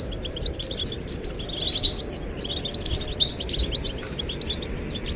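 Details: Rapid, high-pitched chirping and buzzy twitters from goldfinches singing to win the female, in irregular clusters over a constant low wind.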